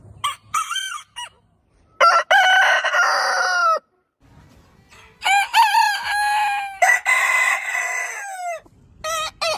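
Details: Repeated rooster crows, loud and raspy, each held for one to two seconds with a slightly falling tail. Short clipped notes come between them, over faint low background noise.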